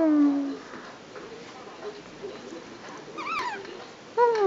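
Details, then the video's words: Pet Senegal parrot saying its own name for the first time: short tonal, voice-like syllables with stacked harmonics, one falling phrase at the start and another rising-then-falling phrase near the end, with quieter room sounds between. "第一次說自己名子-卡比,he can say his name-Kabi!!Senegal Parrot"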